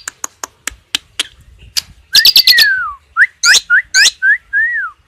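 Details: Asian pied starling in tembakan song with cililin-style fill, meant for tutoring caged birds: a string of sharp clicks, a short loud rattle with a falling slurred whistle, then clipped upward whistles and a final arched whistled note.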